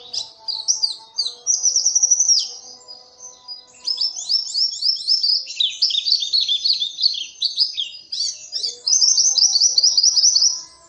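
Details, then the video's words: Lively, prolonged Oriental white-eye song of high, rapidly repeated twittering notes in rolling trilled bursts, switching between jerky chirp runs and smooth fast trills with only short pauses; faint lower background hum. "Burung Pleci cuitannya gacorr"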